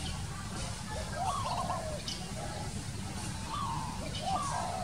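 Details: Wild spotted dove giving soft, wavering coos in short phrases over a steady roar of loud background noise.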